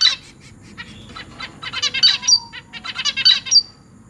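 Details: Newly fledged zebra finch chicks in a cage, August 2023, begging to be fed by their parents; after a quiet start, a rising chorus of rapid raspy, nasal buzzes builds into a dense, pulsing run.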